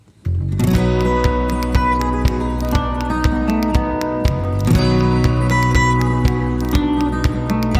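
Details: Strummed acoustic guitar music plays throughout, with no animal sound.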